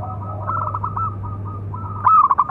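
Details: Local zebra dove calling song for training other doves: soft overlapping coo trills through most of the stretch, ending in a loud, clear rolling burst of pulsed coos over a constant low hum.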